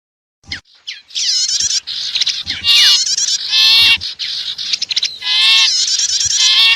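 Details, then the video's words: Mixed lure recording of wild small birds, said to combine sipu and prenjak voices, meant to draw wild birds close: dense overlapping harmonic chattering with rising and falling sweeps in loud bursts, brief gaps between. "Suara Ampuh Pikat Burung Kecil"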